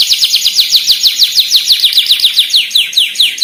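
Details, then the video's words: Long-tailed shrike song used as a master recording for training other birds: fast rapid series of high, sharply descending chirps repeated about six times per second, steady throughout. "Masteran burung cendet terbaik full isian."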